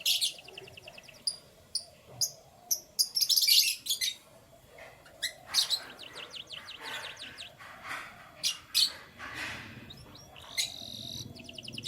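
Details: Canaries singing in the morning: bright, high chirps and fast trilled bursts come in clusters, with a loud buzzy flurry near the middle and short silent gaps between phrases.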